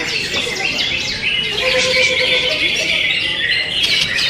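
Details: Continuous busy song from a greater green leafbird: quick scratchy chirps and short whistled slurs packed closely together, several notes per second, varied and restless throughout.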